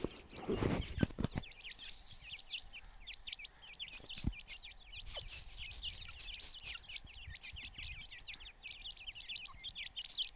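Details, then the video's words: Grey francolin chicks (Dakhni teetar) giving many short, thin, high peeping chirps that rise and fall, overlapping steadily throughout, with low rumbling background noise and a few loud knocks early on. "Teetar Chicks | Teetar ke Bache | Dakhni Teetar"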